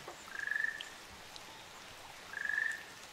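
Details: Two trilled, slightly rising calls about two seconds apart from a pair of Ryukyu Ruddy Kingfishers on Amami Oshima, Japan, over a soft patter of rain.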